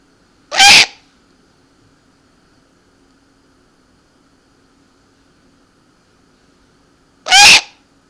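An eared owl gives two harsh, hissing screeches about seven seconds apart, each lasting under half a second, with a faint steady hum behind.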